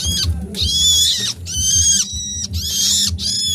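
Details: Hungry bird chicks noisily begging for food while waiting to be hand-fed; loud, harsh, high rasping calls in bursts of about half a second, four bursts in quick succession with short gaps, over a low background hum.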